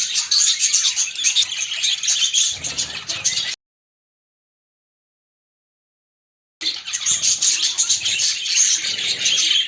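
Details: Female and male budgerigars, pet parrots, during mating behaviour: dense, scratchy, high chattering warble, interrupted by about three seconds of silence, then resuming just as busy.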